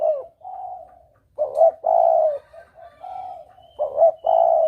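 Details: Clear spotted dove call used as a hunting lure, in double 'kuk' style. Soft low coos lead into a sharp double note and a long, even, hollow coo, and the sequence runs twice.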